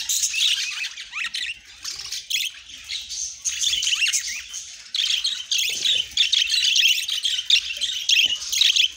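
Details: Budgies chatter almost without pause, a dense high-pitched warbling of chirps and squawky notes that swells and fades across the whole recording.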